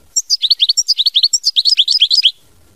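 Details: European goldfinch singing in the mama binette style: a fast twittering run of bright, clipped notes, some high tinkling, others dropping in quick slurred chirps, about two seconds of unbroken song over a quiet background.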